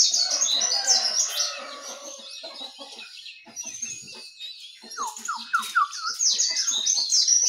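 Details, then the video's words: In the morning, jongkangan, trucukan and pleci (white-eye) sing together: loud high chattering and fast twitters, a quieter spell midway, then a run of short descending whistled notes and renewed chatter. "Suara Burung Jongkangan, Terucukan , Pleci di pagi hari"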